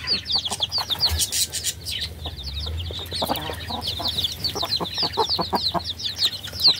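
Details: Many chicks give quick, high, piping cheeps that overlap, along with scattered short taps and a brief patch of rustling near the start.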